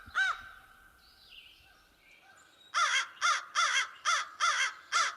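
American Crow: one harsh caw, a short pause, then a run of six loud, hoarse caws about two or three per second. Faint thin whistles sound in the gap.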